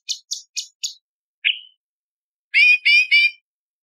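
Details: Light-vented bulbul song used for training other songbirds. Four short high chips in quick succession, a single descending whistled note, then three buzzy harmonic phrases repeated rapidly. No other sounds.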